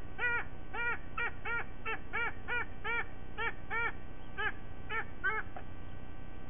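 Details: White-bellied sea eagle in Sydney, Australia, morning of 5 October 2023: evenly spaced arched honks, about two per second, slowing and fading toward the end over low steady background rumble.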